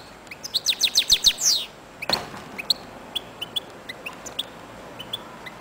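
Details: A European goldfinch kept as a singing and breeding bird opens with a fast run of bright, tinkling twitters, then after a sharp knock gives scattered thin, high chips.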